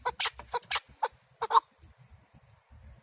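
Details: Male partridge hunting call: a quick burst of rough, loud chuk notes over the first second and a half, then near silence with a few faint low ticks.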